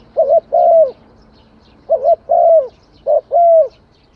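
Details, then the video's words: Three close phrases from a spotted dove, each a quick cooed note then a longer downward-sliding coo, evenly spaced about a second apart. "Tiếng chim cu gáy hay"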